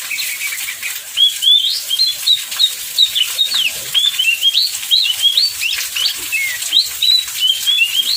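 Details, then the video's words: Oriental magpie-robin song recorded in heavy rain and used to set other magpie-robins singing; quick, varied whistled phrases with upslurred and downslurred notes come almost continuously against a constant rain roar. "Pancingan Kacer PAS HUJAN DERAS, Kacer Lain Langsung Ikut Gacor"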